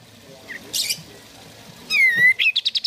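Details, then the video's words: A sooty-headed bulbul gives a clear, slurred whistle that dips and lifts, then a quick run of five bright chirps, with a soft rustle earlier; a lure song to trigger singing in other bulbuls. "Kicau Kapas Tembak Gacor"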